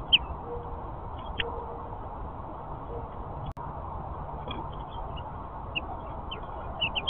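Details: House finch giving short, bright chirps, scattered singly and in quick pairs, against a steady background hiss with faint low cooing notes.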